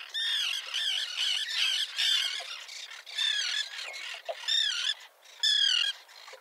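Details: Small common tern colony with chicks on a concrete block near a pier, 1.5 km offshore at Liepāja, Latvia, June 2024: harsh, grating, downslurred calls overlapping in a near-continuous chorus from several birds.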